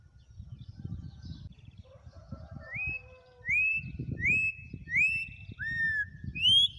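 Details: Campo troupial in wild song: soft murmured notes, then a string of clear whistles, mostly rising and a few falling, about one per second, over low rustling noise.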